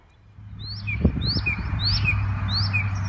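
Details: A Northern Mockingbird in a backyard, mimicking other birds' calls, repeats rising whistled high notes about twice a second with lower down-slurred notes between them, over a steady low hum and some thumping.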